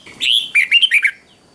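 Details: One brisk morning phrase from a red-whiskered bulbul in training: a drawn-out whistled note, then four quick bouncing warbled notes in a tight series, all over in about a second.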